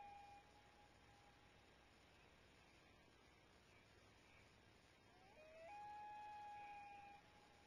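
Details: Loons: a brief pure hoot, then a long, steady, mournful wail that slides up and holds for about two seconds over a quiet, hissy background.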